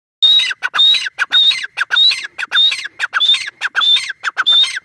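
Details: A grey francolin in an open area calls loudly and harshly, a ringing squeaky, high, grating phrase repeated steadily about every half second.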